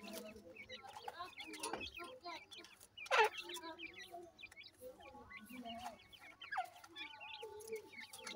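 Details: Grey francolin chicks chatter in quick, high, downward cheeps over soft low clucks, with one loud harsh burst partway through.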